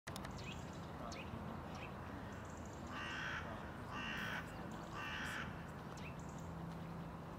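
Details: Hooded crow (Corvus cornix) calling in Tivoli Landscape Park, Ljubljana, on 20 December 2022: three harsh, hoarse caws about a second apart, over a steady low background rumble with a few faint higher chirps.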